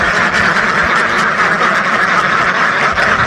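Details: Ducks numbering in the thousands quack in a continuous, crowded chorus, countless rough calls overlapping into one steady noisy din.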